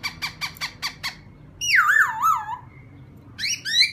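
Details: A laughingthrush, heard indoors, provoking a newly caught wild bird: a run of six harsh chattering notes, then a long wavering whistle sliding downward, then rising whistled notes.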